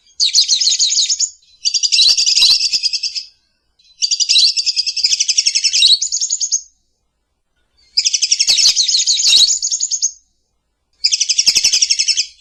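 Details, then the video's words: Lovebird singing in the morning, kept as a master and lure song: long bursts of rapid, buzzy chattering chirps in about 1.5-second runs separated by short pauses, with a few sharp clicks. "Terapi suara Masteran Love Bird Di pagi Hari"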